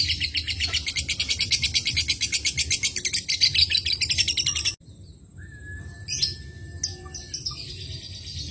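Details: A lovebird's ngekek, played to lure other lovebirds into singing: a fast, high, buzzy string of chirps lasts nearly five seconds, then stops abruptly, followed by a thin steady whistle and scattered clicks.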